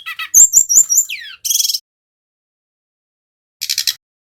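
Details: Male brown-chested jungle flycatcher from Bali in a lure recording for getting birds to sing. Fast sliding high notes and a falling whistle, followed by two separate buzzy bursts with silence between them.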